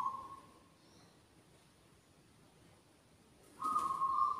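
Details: A local zebra dove with a big, loud voice gives clear, steady, hollow coo notes, one at the start and another after about three quiet seconds, over faint background hiss.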